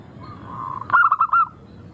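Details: Melodious local zebra dove song meant to prompt other doves to sing: a soft drawn-out coo leads into a tight burst of five rolling, clear notes.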